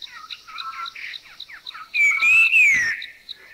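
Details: Puff-throated Babbler in a Thai national park (Khao Yai, Doi Inthanon, Doi Suthep-Pui or Chae Son), giving its normal three-tone whistle that rises then slides down, over soft churring and chuckling from the same species and a steady high ticking.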